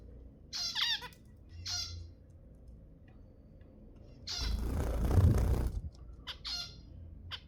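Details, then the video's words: Zebra finch calls aimed at encouraging breeding: two bursts of wavering, nasal, harmonic notes, then a loud rushing noise for over a second, followed by several more short beeps. "تحفيز الزيبرا على التزاوج 10 دقائق من أصوات الزيبرا المحفزة"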